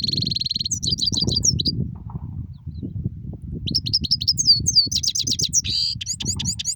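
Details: European goldfinch giving a rolling song: bursts of high, rapid twittering and buzzy trilled notes, one short phrase early and a longer run after a pause, over a steady low rumbling hum.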